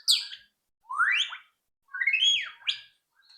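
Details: White-rumped shama song intended to prompt other birds to sing: loud, sweeping slurred whistles rising and falling, about three phrases with brief gaps.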